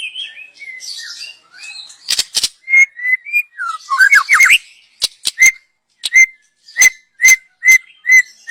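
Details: Forest-dwelling young white-rumped shama singing as a lure: soft varied whistles and a rising flourish, then a steady run of short, sharp whistled notes repeated about every half second.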